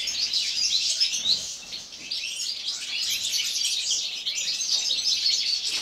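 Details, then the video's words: European goldfinches singing in an aviary in winter, singing all day: a dense, continuous chorus of high, tinkling twitters and chirps overlapping without pause. "Gosdfinches winter song."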